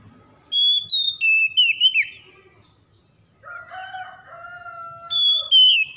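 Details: Oriental magpie-robin song played as a lure to restore stressed, silent birds to singing: bright whistled phrases that slide and warble high, then a lower run of steady mellow notes, and high whistles again near the end.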